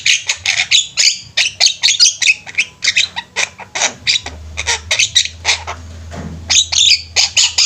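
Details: Flock of Javan mynas singing energetically, dense rapid volleys of harsh, buzzy squawks and chirps packed closely together, a faint low hum underneath.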